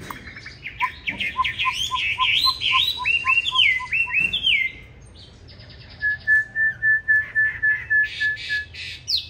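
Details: Fighting song of a green-bean-eye Chinese hwamei, used to train others toward a gentle song; a long chain of rising whistles over steady low ticking notes, a brief pause, then a rapid run of identical flat whistled notes.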